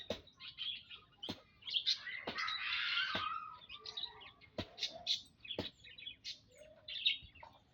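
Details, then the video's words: Munias (emprit) in a mixed aviary flock, recorded Saturday 19 April 2025, giving many short high chirps and squeaky notes in quick succession, with a brief burst of wing flutter and clicks. "Kumpulan Burung - Burung Emprit"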